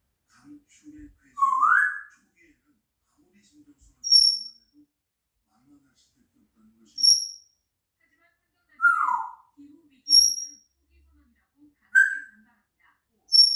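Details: Pet grey parrot, four years old, repeating a rising whistled call about every three seconds, alternating with short, very high pure whistle notes, and some quiet low chatter in between in a quiet room.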